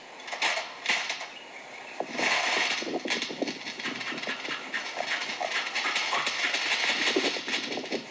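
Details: Australian bowerbird singing a song learned next to a construction site, all from one bird: dense, harsh, noisy bursts imitating a saw, workers' chatter and noisy machines, broad rasping sound with scattered clicks and sharp accents throughout.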